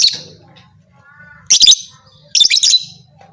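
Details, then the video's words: Shrill lovebird call, said to rouse other lovebirds into fighters. A fading screech at the start, then two loud, rasping, stuttered bursts about a second apart, with a faint low hum. "Suara burung lovebird ini 100% merangsang lovebird lain Jadi Fighter"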